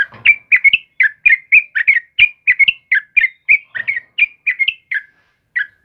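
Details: Morning song of a sooty-headed bulbul: a steady run of short, bright, warbled notes, roughly four per second, with slight pitch wobbles and a brief pause near the end.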